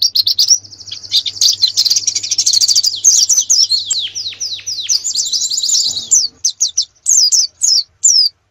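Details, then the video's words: Competition-training canary song with long high rapid trills of sweeping notes, varied in pace, ending in a series of spaced sharp whistled slurs with short gaps between them. "Masteran kenari terbaik untuk persiapan lomba nasional"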